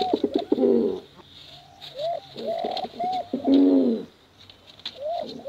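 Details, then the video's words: Competition pigeons, both sexes, cooing for luring young birds. Arched coo notes alternate with louder gurgling rolls in spaced bouts, with faint clicks between phrases. "Suara Bekuran Burung Merpati Lomba Hutan Dara"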